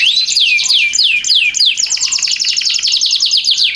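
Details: Canary master song for tutoring other canaries, luxurious cengkok style: clear whistled notes dropping in pitch about three per second, then a dense, rapid chattering trill to the end.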